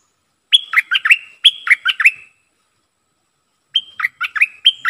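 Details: Bulbul kept as a decoy bird, singing: two bursts of quick bright whistled phrases, each a clipped high note followed by lower, slurred warbles, separated by a short pause. Clean recording with no other sounds.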